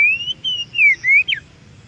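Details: Wild Oriental magpie-robin, recorded in nature for use in coaxing caged birds to sing back: a few drawn-out clear whistles, slightly rising then falling, closing with a sharp downslurred note.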